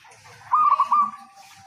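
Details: Local zebra dove in full voice, used as bait to get idle zebra doves singing: a single half-second phrase of four or five quick, bubbling coos at a steady pitch.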